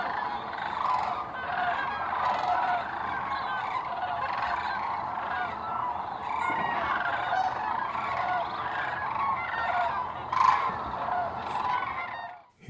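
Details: Large flock of Sandhill Cranes, some flying overhead, at Hiwassee Wildlife Refuge just after sunrise on December 29: rolling, trumpeting calls overlap into a steady clamor with no gaps throughout.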